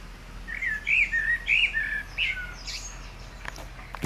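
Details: Common blackbird singing by reeds on 15 June 2020: mellow fluted phrases rising and falling, several in quick succession, ending in a higher twittering flourish, with faint clicks afterward.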